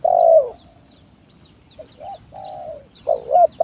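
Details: Spotted dove lure song meant to make reluctant doves start calling. Mellow, hollow coos open strongly, then softer two-note phrases with a drawn-out falling coo, and a loud phrase returns at the end. Faint high bird chirps sound behind.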